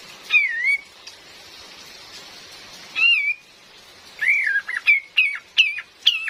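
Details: Female Cream-vented bulbul calling, a recording used to lure birds in the forest, with real rain behind it: a clear whistled rising-falling note, another after a pause, then a run of short hooked notes dipping downward, over a soft hiss.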